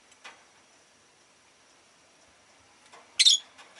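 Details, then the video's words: A single loud, harsh, shrill chirp from pet Rosy-faced lovebirds, which called often that day, rings out after a stretch of near quiet broken only by faint clicks. "Lovebird Chirping Sounds"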